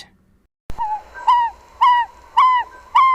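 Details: An African Barred Owlet, a Southern African bird, gives a series of rich, slightly falling purred notes, about two per second, with a quiet pause before the first.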